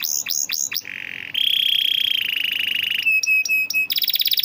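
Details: Canary, an eager singer, in a master recording meant to coax reluctant canaries into song: rapid downslurred notes, then a buzzy sustained roll, clipped repeated whistles, and a fast high trill at the end.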